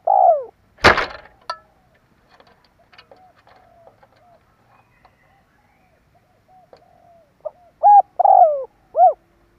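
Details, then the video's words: Spotted dove lure call for attracting birds: a falling coo opens, a sharp knock follows, then faint scattered sounds before one full cooing phrase with a rolling middle coo and a rounded final note. "Tiếng chim cu gáy kích bổi"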